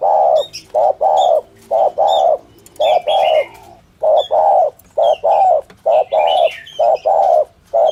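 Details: Rhythmic 'thổ thúc gù' coo of a spotted dove used to lure wild doves: regular pairs of low hollow coos, short then long, with scattered bright chirps and twitters from other birds between them.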